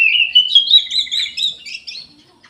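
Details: Orange-headed thrush in lively song, a continuous rapid warble of bright whistled notes and chattering trills that wavers between mid and high pitch, fading toward the end.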